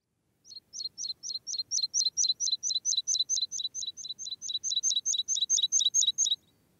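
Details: Meadow pipit song: a steady series of about twenty-five thin, high two-part notes, each a sharp upward flick dropping to a short tone, repeated rapidly at an even pace.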